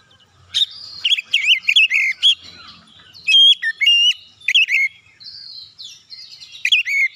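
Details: Singing Oriental magpie-robin, its song used to provoke other birds, giving several phrases of loud, twisting whistles and sharp accented notes spaced by brief pauses.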